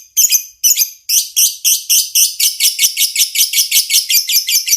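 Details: Lovebird giving a long 'ngekek' chattering song, meant as a training recording for other lovebirds: harsh, buzzy broadband notes repeated rapidly, about one every quarter second, after two short opening bursts, steady throughout.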